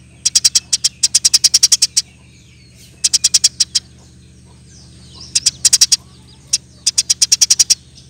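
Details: Eurasian tree sparrow singing in a rapid, persistent style used for training other birds: bursts of sharp, high chirps repeated quickly in runs of five to twelve notes, with short pauses between bursts and a faint low hum beneath.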